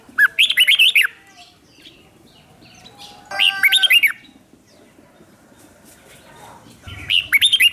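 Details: Red-whiskered bulbul lure song meant to call wild birds in: three energetic phrases of quick, warbling whistles spaced about three seconds apart, quiet murmurs between them.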